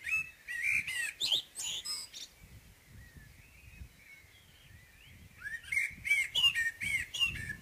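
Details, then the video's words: Morning singing by a common blackbird: a burst of warbled whistles with shrill twittering, a quiet gap with soft distant notes, then another rich looping phrase; low background rumble throughout. "Morgensang - Solsort - Blackbird"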